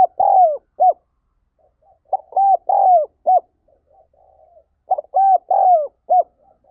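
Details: Spotted dove giving urging calls meant to lure birds, soft hooted coos in irregular bursts of two to four notes, the longer notes sliding downward, with short silent gaps between bursts.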